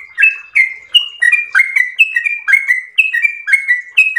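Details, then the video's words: Trucukan, the yellow-vented bulbul, in lively long 'ropel' style: bright gurgling notes paired low-high, each ending in a short level whistle, repeated about once a second in a continuous melodious run. "ROPEL MERDU trucukan gacor ropel panjang istimewa"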